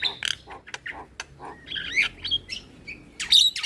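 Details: Asian pied starling morning song played as a model for young birds: scattered harsh squawks and short whistled notes, a clear bright whistle near the end, low hum beneath.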